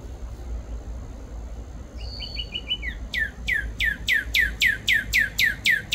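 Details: Cardinal giving a brief burst of short clipped notes with a higher thin note, followed by a long run of about eleven clear, sharply falling whistles repeated evenly about twice a second, steady low hum underneath.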